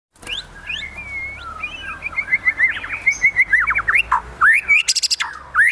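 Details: White-rumped shama singing in high excitement, a varied rich run of whistled rising and falling notes, clear sweeping phrases and quick repeated chirps toward the end, with a burst of high buzzy notes.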